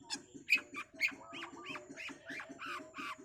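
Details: Long-tailed Shrike, fast training-recording song: harsh rising notes, each sweeping upward, repeated roughly twice per second, with a quieter rhythmic low thumping throughout.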